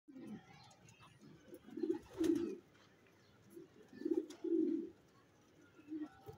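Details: Checker racing pigeon cooing in low, rolling bursts, pairs of throaty coos repeating about every two seconds with quiet gaps between, plus faint clicks in the background.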